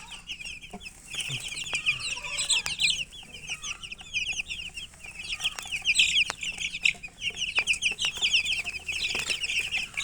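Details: Chicken chicks chirping together: a constant stream of thin, high, slurred peeps from many birds, rising and falling in intensity over ten seconds.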